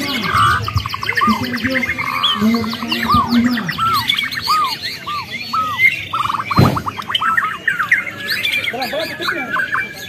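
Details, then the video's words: White-rumped shama from Borneo practising song during breaks in a singing contest: varied loud whistles, rapid repeated notes and trills, with other birds calling around it and some background noise. "NGETRY BURUNG MURAI BATU BORNEO DISELA-SELA LOMBA"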